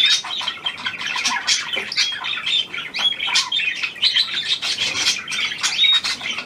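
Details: Australian pied budgerigar, a new hand-tame bird, recorded 17 February 2023: busy warble of harsh squawky notes, clicks and thin whistles, dense and unbroken across the whole stretch.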